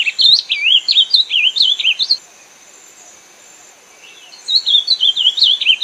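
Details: Ultramarine grosbeak giving a quick, sweet warbled phrase of rising and falling whistles, then quiet for about two seconds before another rapid melodious phrase begins.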